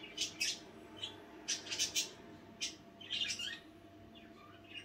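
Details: Pet budgerigars chattering at night: short bursts of bright, scratchy chirps and warbles in quick clusters, separated by brief pauses, over a faint steady hum.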